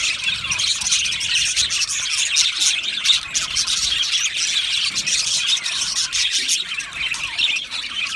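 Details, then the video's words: Australian budgies chirping and singing in an aviary, many voices blending into a dense high twitter, with scattered sharper squeaks over a steady background. "Budgie singing and chirping sounds"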